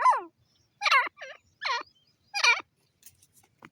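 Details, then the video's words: Grey francolin (bhura teetar) calling: loud, harsh, ringing notes in four bursts spaced under a second apart, each stacked and curving downward, followed by a few faint softer clicks. "bhura teetar ki awaaz"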